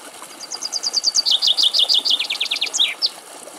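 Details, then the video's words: Male common chaffinch, feeding on seeds at a bird feeder in the Greek countryside, sings a bright, accelerating run of descending notes, dropping in steps before a quick flourish at the end, about three seconds long. "Σπίνος Κελάηδημα - Common chaffinch male and song"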